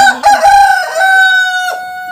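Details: A black Cochin rooster in an unheated aviary gives a long, hoarse crow that holds steady and fades out at the end.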